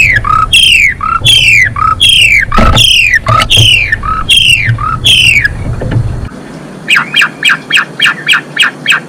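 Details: Female Asian pied starling in full song, used to stimulate males into breeding condition; loud downward-swept whistles repeated quickly, then a series of short sharp clicking notes in a steady rhythm.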